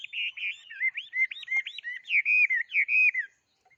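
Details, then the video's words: Close, clean bird song: a continuous, fast warbling phrase of looping whistled notes lasting a little over three seconds, then silence apart from two faint closing chips. "chim hót thế này"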